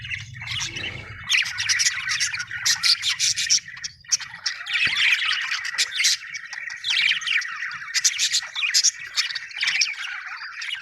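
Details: Budgerigar chatter described as happy, from Australian birds: dense, continuous warbling and scratchy chirps in rapid bursts throughout, with a brief low rumble at the start.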